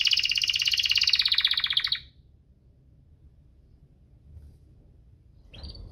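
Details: Canary singing 'cuit-cuit ngerol', used as a lure for canaries slow to sing. A fast buzzy rolling trill lasts about two seconds, then quiet, with a brief rising note at the end.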